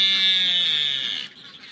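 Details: A Salvin's albatross at a crowded seabird colony with erect-crested penguins on the granite Bounty Islands, New Zealand, gives one loud, harsh, nasal call just over a second long, sagging slightly in pitch before cutting off.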